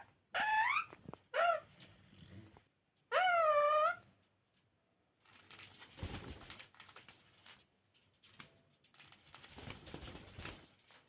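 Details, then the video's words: Parrot talking indoors with three loud, harmonic, wavering utterances early on, followed by softer rustling and handling noise for the rest. "Talking parrot"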